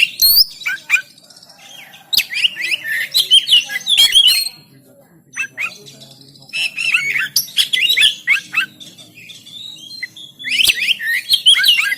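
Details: Oriental magpie-robin recorded on an Android phone in Banten, used as training audio to make birds sing, giving a dense varied song of quick whistles, sharp chips and rapid trills in bursts, with a low background hum and faint other chirps.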